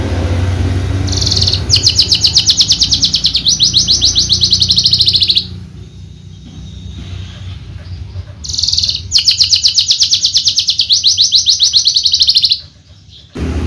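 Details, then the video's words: Horsfield's bushlark, a caged contest champion of the javanica type: two long bursts of fast, dense, high pulsed trilling separated by a quiet gap with faint sounds. "KICAU MERDU BRANJANGAN JAVA"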